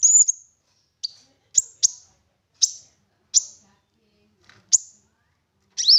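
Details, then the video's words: Olive-backed sunbird lure recording to get other birds singing: sparse, sharp, high chips dropping in pitch, each isolated by a pause of roughly half a second to a second, ending in a slurred double note. "Konin Gacor Full Nembak Isian Mewah! 99% cocok Buat Pancingan konin Agar Bunyi"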